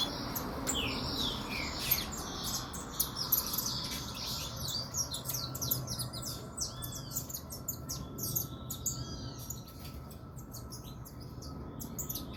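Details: Saffron finch, described as spirited, giving bright high chirps and short twittering phrases, irregular and fairly faint, against steady background hiss and a constant low hum.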